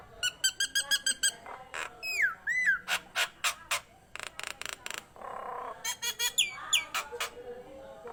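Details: Nias hill myna singing vigorously: rapid series of sharp clicking notes, then downward-sweeping whistles, followed by loud rhythmic knocks and a burst of bright whistled phrases and harsh notes.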